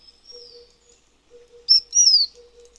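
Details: Taiwan fulvetta, a bird endemic to Taiwan's high mountains, giving a faint thin high whistle, then two louder clear whistled notes, the second sliding downward, against a quiet background with a soft steady low hum.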